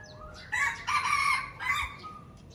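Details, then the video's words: A red junglefowl from Aceh crows once, a hoarse three-part phrase lasting over a second, with a faint thin note after it, recorded as a lure sound. "Ayam Hutan Aceh - Pikat Super"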